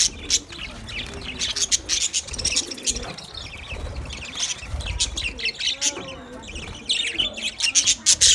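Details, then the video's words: Budgies talk to each other in a continuous mix of sharp high chirps, clicks and warbled notes that swell and fade, with quiet background music. "Budgies birds speak to each other Beautiful Budgies talking sounds"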